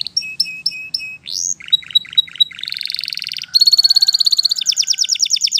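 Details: Wild-setting canary song made of clipped high notes, a rising slur, short stuttered notes, then two long, very fast, buzzy trills at different pitches.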